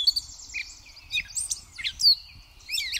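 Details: Gray Catbird singing at Pleasant Valley Wildlife Sanctuary on May 4, 2024: a rambling run of squeaky, scratchy notes and quick slurred whistles, each phrase different, over a faint low rumble.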